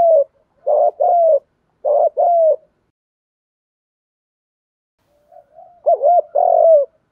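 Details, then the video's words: Spotted dove coos used to provoke wild doves into cooing: deep, soft, paired notes in short rhythmic groups, then a long silence before a final phrase. "tiếng chim cu gáy kích bổi"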